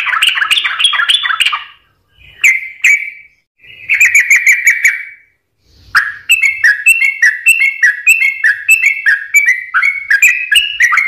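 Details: Lure song of the sooty-headed bulbul meant to set lazy or stressed birds singing. Several short runs of liquid whistles are separated by pauses, then a long, steady series of quick bubbling notes.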